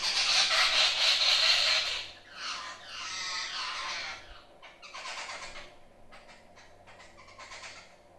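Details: Jungle babblers visiting a kitchen window of a village house in Sindhudurg district, Maharashtra, India: loud rasping bursts of harsh, squeaky chatter from several birds calling together, fading into short scratchy notes.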